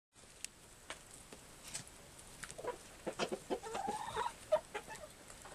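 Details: Chickens in an aviary, recorded on a Canon Powershot SX200 IS, give scattered short clucks that build into a denser run of harmonic, slightly rising notes near the end, over a steady background hiss.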